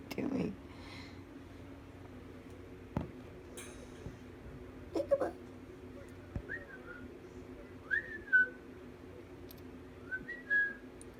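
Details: A pet cockatiel gives a few short, clear whistles that rise and fall, while its owner talks nearby and urges it to say bye-bye.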